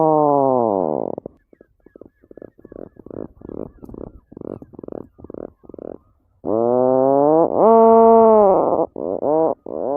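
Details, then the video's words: A tufted puffin gives low, drawn-out moaning groans that swell and rise slightly, broken by a run of quick, stuttering grunts. "SOUND OF A TUFTED PUFFIN"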